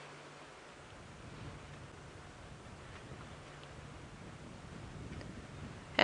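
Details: A steady low rumble and hiss, like a vehicle idling outdoors, runs throughout, ending in a brief sharp knock, with no clear animal calls.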